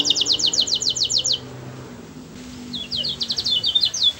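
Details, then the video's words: Canary song used to stir other canaries to sing: a crisp trill of quick repeated high notes, a quiet gap, then a scratchy jumble of short high notes. "Suara burung kenari bernyanyi merdu yang lain awas ikut bernyanyi"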